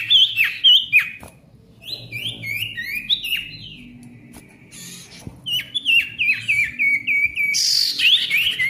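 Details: Busy, noisy song of a male ashy tailorbird, meant to restart tailorbirds that stopped singing: rapid chains of clipped, descending chirping notes, about three per second, with a quiet gap and a harsh scratchy burst near the end.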